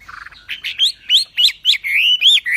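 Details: Javan pied starling song for training songbirds: a soft low chatter, then loud sharp upslurred whistles in quick succession, close to two per second.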